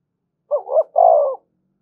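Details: Decoy spotted dove (cu đất) calling to provoke rivals: one hoarse phrase, a brief wavering note followed by a longer deep coo.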